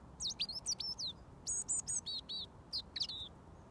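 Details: Fed for more than a year, this robin sings a foot away until mealworms come; quick high twittering notes, clipped whistles and falling slurs delivered in rapid short bursts.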